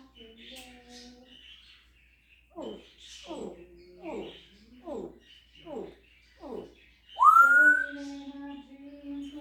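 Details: Captive African grey parrot mimicking animal noises: a soft low hum, then six evenly spaced short clucking notes, then a loud rising whistle that settles into a sustained tone.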